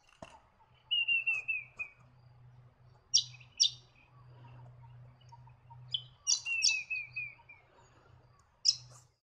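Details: White-eared Monarch in eastern Australian rainforest or mangrove habitat giving short descending trilled whistles and sharp high chips, the phrases repeating every few seconds over a low steady hum.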